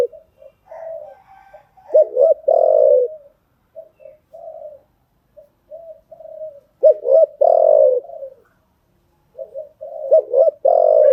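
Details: Spotted dove cooing used to train freshly caught birds; soft muttering notes build into loud stuttered coos and a long throaty phrase, the sequence recurring roughly every five seconds.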